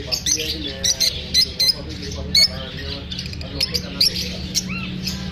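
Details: Pet lovebirds, uneasy after being filmed, let out sharp, loud squawks in separate bursts about half a second apart, against a background of human speech.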